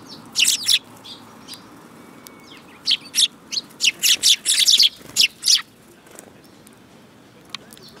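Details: Sparrows recorded on 10 June 2018, calling in a dense, excited run of loud, high chirps packed together mid-clip, with a few single chirps before and a quieter stretch after.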